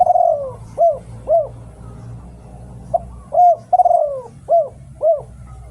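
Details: Thai spotted dove decoy song, two phrases, each a long descending drawn-out coo followed by a pair of short arched, rounded coos, with a faint low rumble underneath.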